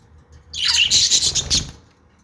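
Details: A single pet budgerigar gives one sustained burst of grating, chattering squawks that lasts about a second.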